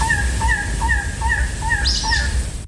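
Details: Elegant Trogon, now called Coppery-tailed Trogon, recorded in Madera Canyon, Southeast Arizona, giving a series of hoarse, croaking notes, about six in under three seconds, evenly paced; low rumbling background noise throughout.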